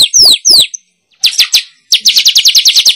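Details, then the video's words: Lure call for attracting wild weavers: two long, high notes sweeping downward, a brief silence, a few clipped chips, then a rapid chattering string of short high chirps. "Suara Pikat Burung Manyar"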